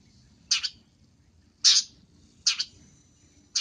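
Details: Long-tailed shrike call used for luring: harsh, broadband rasping notes, some doubled, repeated about once a second over a low background hum.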